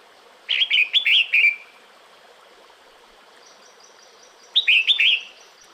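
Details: Red-whiskered bulbul female calling the male during breeding season, two bursts of rapid, bright chirping whistles about four seconds apart, each of four or five bouncing notes, with a faint thin high tone between them.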